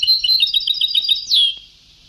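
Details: European goldfinch singing in the old Sebtaoui style: a fast, rippling, high trill of repeated notes ends in a long downward-slurred whistle, over tape hiss.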